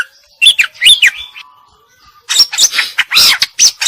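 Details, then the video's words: Female greater green leafbird: a few bright looping whistles, a quiet gap, then a loud buzzy, scratchy burst of fast notes mixed with high whistles. "Burung Cucak Ijo Betina Gacor Isian"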